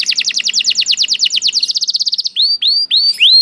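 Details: Canary, called lazy, singing once it hears another canary: rapid downslurred chip notes that speed into a tight trill, followed by four slower rising whistled slurs.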